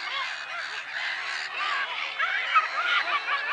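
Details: Many black-headed gulls calling together at Lake Sarymsak in Kazakhstan's Pavlodar region on 10 April 2011; short nasal, hooked cries tumble over one another, with one sharper squeal near the end.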